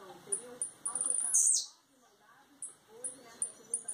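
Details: A blue-black grassquit from Campos dos Goytacazes, Rio de Janeiro, coming out of moult, gives thin, very high chips about every third of a second, broken by one buzzy downward-slurred note, with faint voices murmuring beneath.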